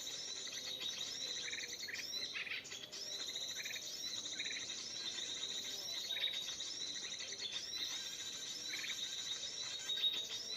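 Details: Sooty-headed bulbul song broadcast as MP3 playback for trapping wild birds: brief rounded phrases every one to two seconds, set against a steady wash of thin, high twittering from other birds.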